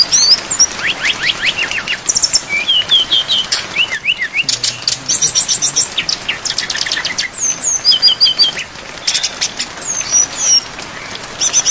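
Brown-chested jungle flycatcher song: quick, high, varied chirps and downslurred whistles in dense overlapping runs, over a steady patter of rain.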